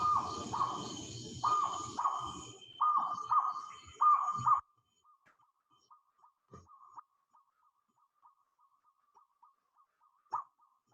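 A Jungle Owlet gives loud, rapid mid-pitched hooting notes for about four seconds, then a distant owlet answers with a long run of faint, evenly spaced notes.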